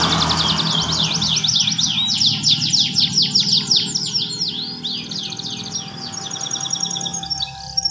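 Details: Caged canary singing goldfinch-style phrases with long rolls and ornaments: rapid buzzy trills and twittering runs, dense and continuous, over a steady low hum and background noise.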